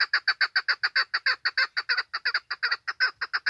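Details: A female chukar gives a rapid run of harsh clucking notes, about three or four a second, each a short burst, with nothing else heard; this call is presented as a lure voice for hunting.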